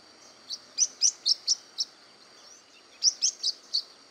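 Blue-winged parrotlet giving high, sharp chirps in two quick runs, about six notes and then four, each note a bright twittering tick.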